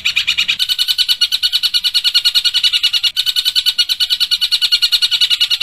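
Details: Young-shrike tutor recording of a long-tailed shrike doing tight, sharp kingfisher-style 'tengkek buto' shots: a fast, steady stream of piercing high chips, strongly rhythmic, with brief low background rumble at the start.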